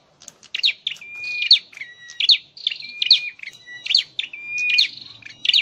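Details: Caged Scarlet-headed flowerpecker in song training gives rapid, high, sharp chipping notes mixed with short level whistled tones, phrases repeating roughly every second through the recording, no other sounds.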